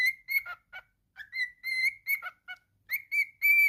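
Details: Pet cockatiel singing in quick, broken whistles, level tones alternating with short falling notes and ending on a loud sustained whistle.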